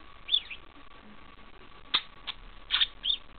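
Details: Parakeet imitating a bell while grappling with a person's thumb; a few short, bright chirps and whistled notes, some sliding, come in scattered bursts over a quiet background.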